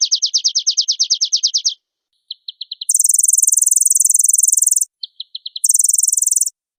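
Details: Oriental white-eye (pleci) singing energetic full 'isian' song, answering another bird at once: a fast run of high descending notes, a few short chips, then a long, very rapid, buzzy high trill, repeated after a brief pause; no background noise.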